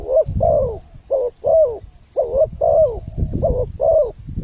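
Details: Spotted dove cooing as a lure for wild birds: eight full, slightly falling coos in close pairs over a noticeable low rumbling background noise.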